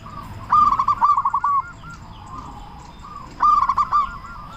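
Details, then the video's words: Loud, active local zebra dove singing as a lure to make other doves start calling. Two short phrases of quick, rolled cooing notes ending in a softer, lower coo, separated by about two seconds of quiet background hiss. "Perkutut Lokal Gacor Suara Besar Pancingan Burung Perkutut Agar Cepat Bunyi"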